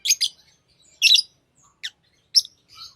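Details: Harsh, high chirps from tame lovebirds, a double note followed by scattered single sharp calls and a short trailing squeak, in a quiet room.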